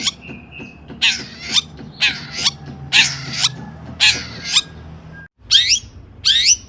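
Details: Long-tailed shrike, agitated, used as a stimulus to make other shrikes sing: loud, raspy, grating calls about once a second, then two quick rising scratchy notes after a brief silence.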